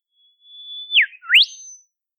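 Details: One phrase from a wild olive whistler in southeastern Australian forest: a long, steady high whistle, a sharp downward slur, then a rising whip note trailing into a brief thin high whistle.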